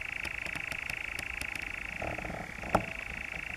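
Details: European nightjar churring in the Brecks, Norfolk, on 7 July 2017: a steady, dry mechanical trill that drops to a lower pitch about two seconds in, with a few faint clicks and one sharp knock behind it.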